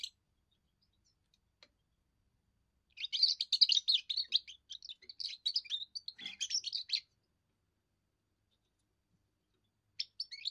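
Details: European goldfinch, young bird's first song for territory and attracting females: after quiet, a four-second run of rapid, tinkling twitters and liquid trills, then silence and a brief final snatch of song.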